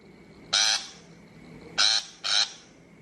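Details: Shrike voice used for a bird-trap speaker: three short grating notes, the last two close together, with a soft continuous hum between them.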